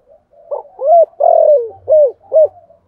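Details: Spotted dove in 'giọng thổ' voice giving a cooing phrase of rounded and drawn-out falling coos over soft background cooing and a faint low hum.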